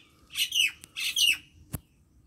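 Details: Common myna in a Pakistani Punjab village: two loud harsh squawking phrases, each ending in a falling whistled slur, followed by a sharp click.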